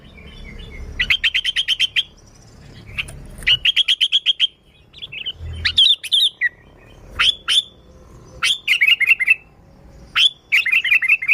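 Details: Sooty-headed bulbul song meant to attract bulbuls: fast trains of clicking chirps, then sharp upward notes trailing into short descending chirp runs, with faint low background hum.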